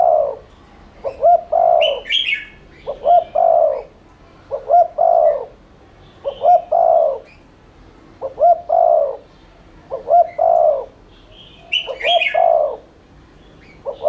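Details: Rapid continuous 'thúc liên thanh' cooing of a spotted dove, played to stimulate doves to coo. Eight or so steady phrases of two short coos and a long rolling croo, roughly every 1.7 seconds. Occasional higher bird chirps.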